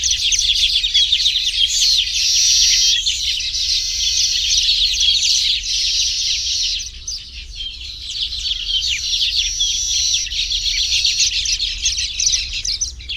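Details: Tropical Baya weaver colony busy with nest building, many birds chattering in a high, continuous buzzy twitter that swells and fades, dropping briefly around the middle before resuming.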